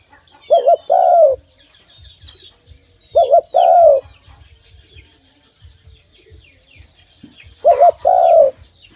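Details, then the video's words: A tame, hand-fed pet male dove that sings whenever its owner comes to him gives three soft, low cooing phrases, each a short note and a longer hooting coo, a few seconds apart, with faint small-bird chirps behind. "An Awesome Dove Sound"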